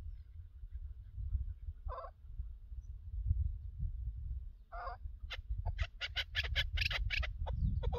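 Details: Chukar partridge during a partridge hunt: two isolated rasping calls, then a quickening burst of sharp clucking notes near the end, heard through heavy wind buffeting.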